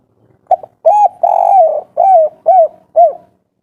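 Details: Agitated spotted dove, local 'kuk 3' style, calling to provoke other doves to reply: a brief opening note, a two-part coo, a long purring coo, then three short downslurred coos in quick succession, in quiet surroundings.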